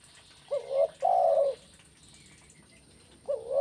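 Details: Mellow spotted dove coos in the kuk 1 pattern: a short hooked note, a long steady loud coo, then a new hooked note starting after a pause, with faint high bird chirps behind.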